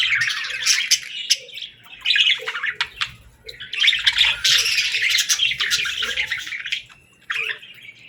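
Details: Baby budgerigars playing and talking in bursts of scratchy, buzzy chirping and squawks, separated by short pauses, with faint lower notes between phrases.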